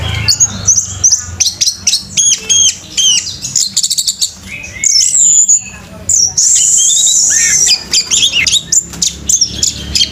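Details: Orange-headed thrush, tail fanned and bowing, pours out a fast, varied song of piercing whistles, chattering trills and sweeping notes in rapid bursts, with one longer high rasping phrase midway.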